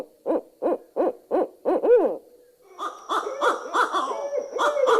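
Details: Barred Owl recording played to a birding-by-ear group: five loud rhythmic hoots followed by a rising and falling wavering call, then a harsher overlapping cackling chorus, sounding like a family of owls talking to each other.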